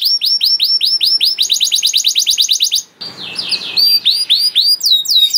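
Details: Canary used as a singing master for young canaries: repeated falling whistles speed into a rapid trill, a short noisy buzz follows, then more hooked whistled notes.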